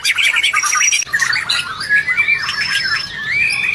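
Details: Song of the white-rumped shama, used to make a quiet, stressed shama respond: quick warbled notes, then looping slurred whistles and a sustained high note, loud throughout.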